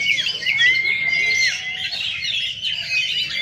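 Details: At a bird singing contest, shrikes pour out a busy stream of harsh squawks and chattering phrases, opening with a sustained level whistle, many birds overlapping above a low hum of people.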